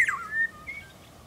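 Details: Eurasian golden oriole recorded in 2017, a single brief, clear whistle sliding downward then levelling off, followed by a faint softer note.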